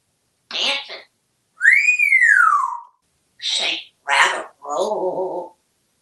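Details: Pet African grey parrot, male, hatched in 1997, living in a home in Texas; separate bursts of speech-like talking, one long clear whistle that rises then falls, and a final low buzzy rattling phrase, in a quiet room.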